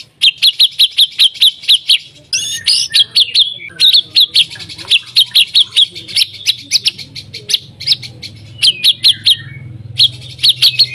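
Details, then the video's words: White-rumped shama singing in quick bursts of sharp repeated chips and short trills, broken by harsher squawky phrases, meant to prompt other shamas to sing; steady low background hum throughout. "MURAI BATU GACOR AMPUH BUAT PANCINGAN MURAI BATU AGAR BUNYI CEPAT BIKIN MURAI BONGKAR MATERI"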